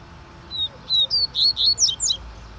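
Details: Song of a double-collared seedeater: two thin whistles followed by a fast series of high, sharp, slurred notes, with a soft hum in the background.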